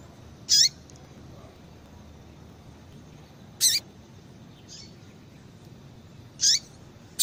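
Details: Calling female yellow-bellied seedeater, used to excite males; three short, high-pitched chip notes about three seconds apart, each a sharp burst ending in a slight downward tail, over low steady background noise.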